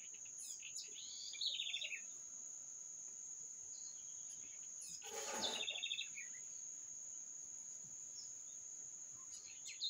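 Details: Birds singing in short bright chirping phrases near the start and again midway, over a steady high-pitched whine heard throughout.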